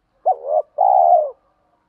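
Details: Single spotted dove phrase used to stimulate birds in training: a short rising note, a slurred coo, a pause, then one longer steady mellow coo.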